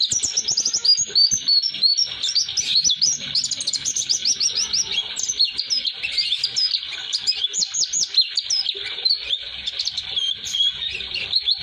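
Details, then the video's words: Long unbroken rolling song of an Oriental white-eye, rapid high chirps and twittering whistles tumbling together for many seconds, sung for training young caught white-eyes. "Kicauan Pleci Atau Si Burung Kaca Mata Roll durasi"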